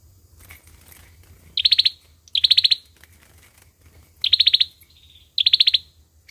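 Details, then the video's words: Olive-backed sunbird giving its fighting song, used as a lure sound for trapping: four short, high, rapid buzzy trills, each about half a second, with uneven pauses and a faint low hum beneath. "Tiếng chim sâu dừa | sâu dừa hót đấu | tiếng sâu dừa mồi"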